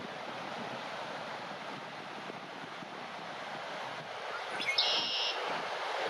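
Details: Steady roar of wind and surf fills the whole recording, growing slightly louder near the end, with no animal voice heard.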